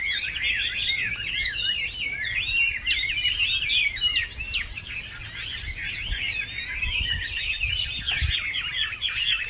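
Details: Chinese hwamei singing on Lunar New Year's Eve: a continuous, rich stream of varied whistled phrases, sliding up and down with quick slurred notes and trills, loud and unbroken over a faint low rumble.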